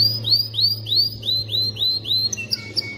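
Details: Canary song intended to train chicks to sing and prime females for mating: a series of clear rising whistled sweeps, about three a second, then scattered high chips, over a steady low hum.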